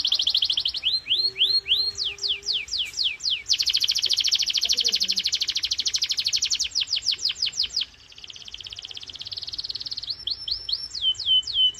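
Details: Canary singing at full power as a stimulus for training other canaries: rising and falling whistled sweeps, long rapid rolling trills, a softer buzzy passage, then more loud sweeping notes.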